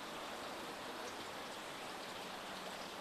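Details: Steady, even rushing of rain or a flowing stream fills the whole recording, with no animal calls standing out.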